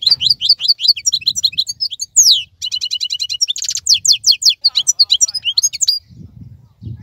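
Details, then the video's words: Khalawi (wild) European goldfinch, keeping its bright plumage and singing while other birds moult in silence. Continuous fast tinkling twitters with buzzy rattled trills and sharp slurred notes. Faint low rumbles sit beneath. "تغريد افضل من كل تغاريد طائر الحسون الخلوي"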